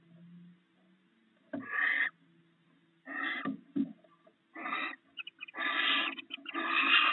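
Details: A barn owl pair at the nest shares a meal of rats in the early morning; irregular rasping hisses, broken and stuttering at first, then longer overlapping grating bursts near the end, over low humming.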